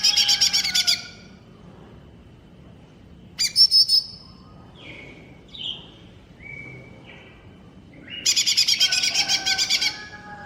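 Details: Greater green leafbird (cucak ijo mini) masteran song: long runs of fast, evenly pulsed harsh trills, separated by quieter whistled slurs and short rising notes.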